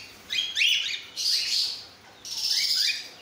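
Cockatiel giving three harsh, screechy chirps about a second apart, high-pitched with rising and falling inflections; no other sounds stand out.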